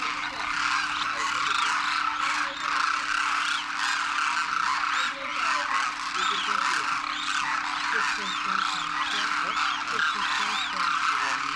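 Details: Wild Demoiselle Cranes, first-year juveniles with adults, wintering after migrating across the Himalaya to Khichan Village, Rajasthan, north India; a dense, continuous chorus of overlapping trumpeting calls from a large flock, with a steady hum in the background.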